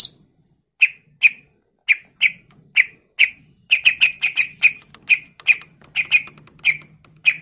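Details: Cucak ijo, the greater green leafbird, in full-isian song: sharp, bright chirps repeated at intervals, speeding into a brisk, almost continuous run of identical notes.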